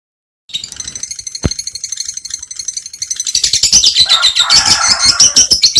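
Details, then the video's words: Lovebird, genus Agapornis, in ngekek style: after a quiet start with a single sharp click, a high, dense, rapidly pulsed chatter builds from about three seconds and grows louder and rasping toward the end. "Love Bird | Labet | Lobet | Ngekek"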